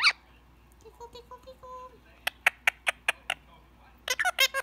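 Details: Pet Indian ringneck parakeet relaxing during head scratches before bedtime, most talkative in the evenings: soft tonal chattering notes, then a run of sharp clicks and a burst of bright, rasping syllables at the end.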